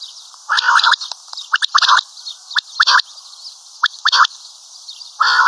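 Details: Common quail calling: harsh, buzzy bursts in short clusters of one to three, each lasting under half a second, repeated irregularly about once per second, with no other clear sounds.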